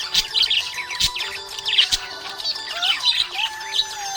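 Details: Happy budgerigar chirping in quick, bubbly twitters and sharp squeaks, with some upward-sliding whistled notes and continuous music playing softly underneath.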